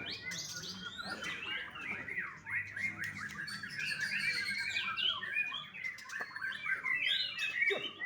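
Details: Song of a young white-rumped shama from a Bali bird farm: continuous, varied warbled and whistled phrases with sharp upward slurs and some harsher squawky notes, indoors.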